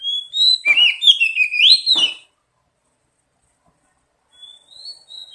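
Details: Oriental magpie-robin lure song for prompting singing: loud rich whistled warbling with sliding notes for about two seconds, then silence and soft thin whistles returning.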